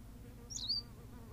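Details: Single Berthelot's pipit call from La Gomera, Canary Islands: a brief high two-part chirp, a sharp upper note sliding into a slightly lower trailing whistle, over steady low background hum.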